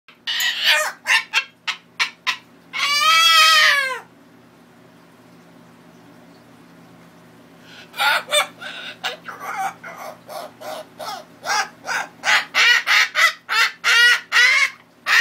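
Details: A pet umbrella cockatoo acting silly gives quick clucking pulses, one long arched screech, then another fast run of clucks.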